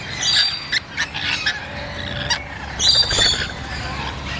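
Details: Rainbow lorikeets on a balcony give harsh, screechy squawks and shrill chattering bursts, several overlapping in quick succession, with a faint background hum.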